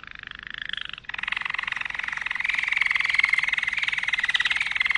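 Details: Malinois canary in full song, a continuous water-like rolling trill of very rapid pulses, changing pitch after the first second and then holding steady and growing slightly louder.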